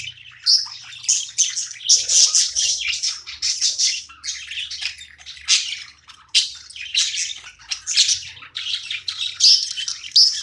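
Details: Playing pet budgie giving long chattering chirps, busy scratchy high phrases broken by short gaps, some notes sharper and squeakier, steady faint hum underneath.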